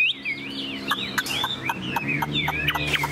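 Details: Caged tame Chinese hwamei giving a rapid stream of looping, slurred whistles, accompanied by repeated sharp clacks and a low background hum.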